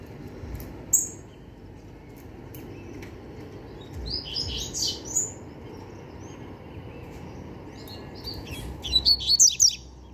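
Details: Double-collared seedeater, young and still a novice, singing scattered bouts of rapid high chirps and trills with pauses between, faint background hiss.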